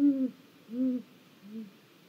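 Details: Great grey owl at a snag, Mission Valley live cam, 1 April 2022: three low hoots, the first loudest, then each one quieter, ending a calling bout.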